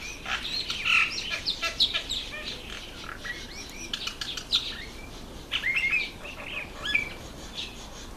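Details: High chirps and quick twittering from Red bishops in the breeding season, October to November. Several short bursts come close together, with brief sliding notes and a few louder chirps near the end.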